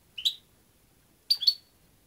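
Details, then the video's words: European goldfinch uttering a rising chirp, then a second later a double, sharply bright, ringing note with a slight buzz. The surroundings are otherwise silent. "jilguero 4"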